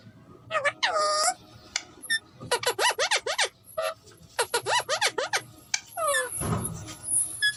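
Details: A friend's pet Alexandrine parakeet talks, saying "miyan mithu". It gives a long run of rapid chattering up-and-down squeaks in bursts, with a drawn-out raspy note and a soft low thump near the end. Music is heard quietly.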